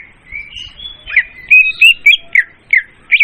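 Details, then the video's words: Leafbird lure sound for trapping, loud and clean: opens with a few level drawn-out whistles, then a run of emphatic downslurred chirps repeated several times a second. "suara pemikat burung murai daun||suara jernih dan volume keras."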